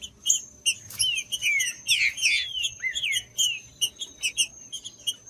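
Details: Singing green-winged saltator, played to warm up a cold bird before singing, giving rapid chips mixed with bright slurred whistles that swoop down and up, the densest burst in the middle, over a thin continuous high whine.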